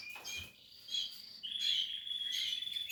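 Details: Portuguese harlequin canary at nest building, giving high twittering notes then a long sustained whistled trill.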